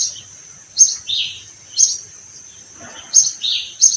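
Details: Sparrows among flowering orange trees on a farm in spring give sharp, high chirps in pairs about once a second, a bright note then a lower slurred one, with faint rustling between.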